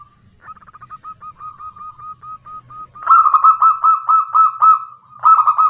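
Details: Local female zebra dove calling a male, used as a lure. Soft low rolling coos repeat quickly, then louder, richer burry coo phrases break in after three seconds and again near the end.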